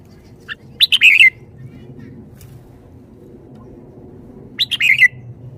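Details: Caged red-whiskered bulbul singing its shaking-bottle style: two rich warbled phrases of rapid notes falling in pitch, separated by a few seconds, over steady low background hum.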